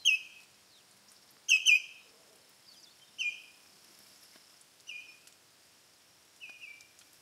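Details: Common snipe on autumn migration in November at shallow pools of Gyzylaghaj National Park, Azerbaijan, where feeding flocks gather and birds act territorially, chasing off rivals. Short harsh rasping calls come in separate bursts, one quick double, with quiet pauses between.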